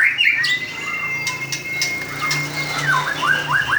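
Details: White-rumped shama, a songbird prized by bird keepers for its very melodious song; a long steady whistled note held for about two seconds, then a run of quick rising slurred notes, with a low hum underneath.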